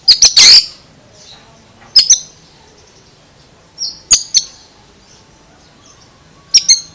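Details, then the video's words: An Oriental magpie-robin's odd-sounding song opens with a loud harsh rasping burst, then sharp paired clicks alternate with short, level high whistles at uneven intervals. "Suara ANEH Kacer ini Bikin HERAN"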